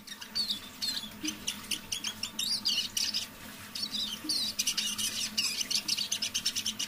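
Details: A tame pet Eurasian siskin sings softly in the evening, at half voice, giving a fast run of high twitters, chirps and short wheezy notes with barely a pause, over a faint low hum.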